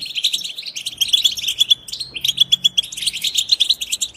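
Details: European goldfinch twittering used to stir other goldfinches to sing: rapid, bright chatter mixed with clear whistled notes, the notes held steady at a high pitch. It comes in quick bursts that follow each other closely over four seconds.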